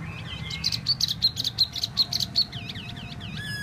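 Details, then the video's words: Tieu mi bird giving a rapid rhythmic string of sharp high notes, about eight in two seconds, followed by softer arched whistles. "Tieu mi de ban choi solo"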